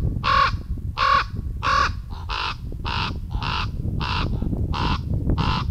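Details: A Common Raven in a forest near Murmansk, recorded by a camera trap, calls in varied voices: about nine harsh, hoarse calls in quick succession, the first three lower and more rounded, the rest higher and rasping, over a low rumble.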